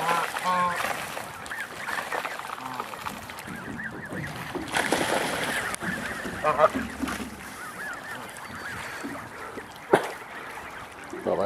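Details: Geese give nasal, harmonic honks scattered unevenly through the clip, with faint mallards in the background and a man talking at times; the flock includes goslings about three weeks old.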